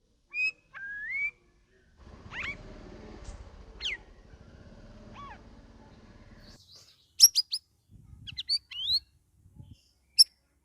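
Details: Caged straw-headed bulbul (cucak rawis) singing vigorously (gacor) in its second week after a shared group cage: varied rising and falling liquid whistles, with a stretch of rattling mechanical noise midway, then sharp rapid notes.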